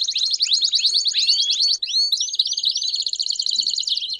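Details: Canary campainha-style song with chirps for tutoring young canaries: a fast high trill gives way to a string of rising slurred whistles, then a steady rapid rolling trill.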